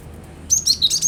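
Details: Cinereous tit singing, meant to prompt a kept bird to join in: brief bright chatter of quick high whistled notes, closely spaced, after a short quiet start.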